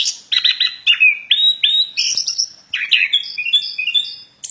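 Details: Plontang bird in full song, a fast stream of varied notes: short twittering clusters, flat whistles near three kilohertz, and higher piping phrases, about two or three notes each second.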